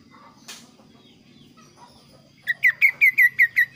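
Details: Lively kaso kaso bird in varied, clear song: after near silence, a run of six evenly spaced, bright, slightly down-slurred chirps in under one and a half seconds.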